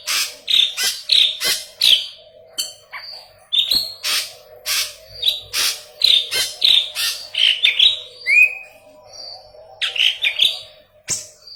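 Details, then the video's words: Long burst of intense singing from a yellow-headed leafbird, training material for Cucak Ijo: rapid harsh chirps mixed with clear whistles, a brief pause, then a rising slurred note and further chirps. "Burung Murai Daun Kepala Kuning Gacor - Masteran Burung Cucak Ijo"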